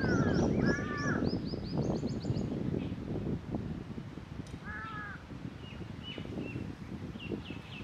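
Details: Black jungle crow calling, recorded 4 July 2021: harsh nasal caws in short bursts, a doubled caw near the start and another pair around five seconds, with higher chattering bird notes above and steady low background rumble.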